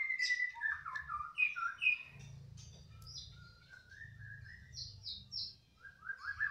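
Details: A caged canary that sings readily wherever it is placed gives a fast, varied run of bright whistles, trills and rising slurred notes, with a low background hum underneath.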